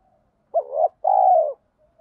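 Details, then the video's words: Spotted dove, voice style giọng thổ pha đồng, cooing to stir wild doves quickly: one phrase of a sharp hooked note swelling upward, a short pause, and a long, even, slightly pulsing coo sinking at the end. "tiếng chim cu gáy giọng thổ pha đồng, cu gay kich boi nhanh noi gù"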